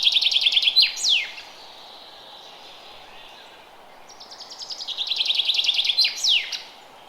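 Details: Forest bird in early spring: a rapid chirping trill closed by a steep falling flourish, a quiet pause of about three seconds, then the same song again, quick notes sliding lower before the final sweep.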